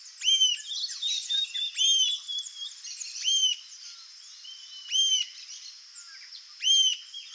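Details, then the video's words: Rufous-tailed jacamar (Galbula ruficauda) singing: five sharp, arched whistled notes with a ringing overtone, spaced about every one and a half seconds, over a steady high insect hiss and faint chatter from other birds. "CANTO da ARIRAMBA-DE-CAUDA-RUIVA (GALBULA RUFICAUDA), RUFOUS-TAILED JACAMAR"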